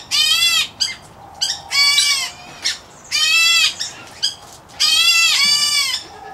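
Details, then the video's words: Aviary-kept White-headed Black Bulbul chick of the Indian-area subspecies uttering loud, rasping, buzzy calls roughly every second or two, with brief softer clicks and scratchy notes in between. "White Head Black Bulbul Chick"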